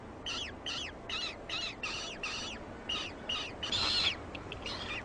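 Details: Penguin, a male incubating eggs of future offspring, giving a rapid series of about eleven short, harsh, harmonic calls, roughly two to three per second, with one louder, longer note near the end over a steady background hiss.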